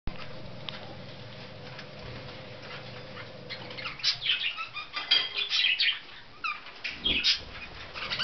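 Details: Budgerigars at a breeder's chatter in quick, high, scratchy warbling bursts after a few seconds of low room hum, with some wing flutter.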